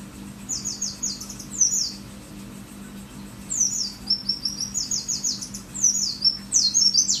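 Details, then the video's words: Mountain white-eye, pleci dakun merapi, in full 'wit wit wit' song: long runs of quick, high-pitched, downward-slurred whistled notes repeated several per second, with a short pause midway and a faint constant hum behind. "Pleci dakun merapi gacor materi wit wit wit sejalur"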